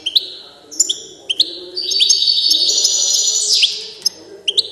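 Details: Carduelis carduelis balcanica song: sharp separate high chips open and close a long, flowing stretch of bright twittered and trilled notes, with a soft low background hum.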